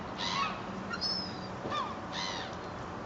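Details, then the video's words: Seagulls being fed bread at Fleetwood Docks on a sunny day; two loud, harsh, drawn-out cries about two seconds apart, with thin higher calls from other gulls between them. "Feeding the Seagulls in Fleetwood Docks"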